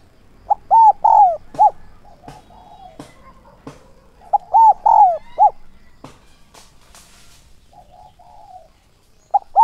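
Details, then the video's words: Spotted dove decoy for luring wild doves, 'son' voice, 'thúc' and 'gáy gọi' calling. Two full coo phrases of short arches and a drawn slurred note, scattered sharp clicks and taps between, and a soft low coo near the end. "Chim cu gáy mồi giọng SON chuẩn THÚC và GÁY GỌI kích bổi nhanh nổi hiệu quả"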